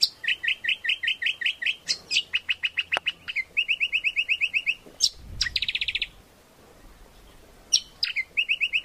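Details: Greater green leafbird song used as a lure and master song for training birds: rapid series of bright repeated notes, changing to buzzy trills and sharp downslurred notes, with a short pause before the quick phrases resume.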